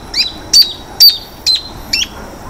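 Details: Freckle-breasted thornbird at Laguna del Diario, Uruguay, 17 April 2013: five loud, sharp, high chip notes spaced roughly half a second apart, each a quick descending stroke, against quiet background hiss.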